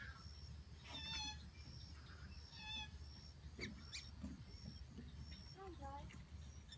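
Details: Whistling ducks at Wakodahatchee Wetlands: short, high, clear whistled notes with stacked overtones, given in brief bursts around the first and third seconds, then lower sliding whistles near the end, over a steady low rumble with other birds chirping behind.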